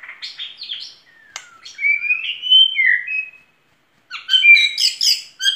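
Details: Singing white-rumped shama gives clear sliding whistles that rise and fall, then bright high twittering notes after a brief pause.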